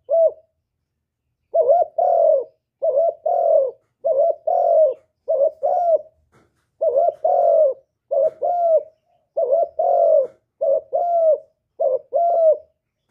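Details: Spotted dove in hạp bổi voice, from a full song of calling, urging and cooing, recorded clean without background noise. A long, steady run of paired mellow coos, a short note then a drawn-out one, repeated about every second.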